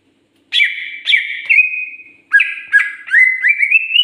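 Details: Greater green leafbird (cucak ijo), Indonesia, giving a lively sequence of whistled notes: clipped down-slurred phrases, a held tone, then choppy notes that climb steadily in pitch toward the end.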